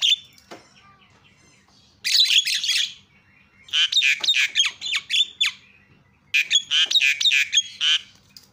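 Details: Starling chatter used as a lure for birds that won't sing: three separate bouts of rapid, raspy, squawking notes mixed with thin whistles, split by short quiet gaps.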